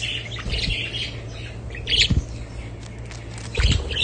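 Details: Budgerigars chattering, with scattered chirps and squawks over a steady low hum and occasional knocks.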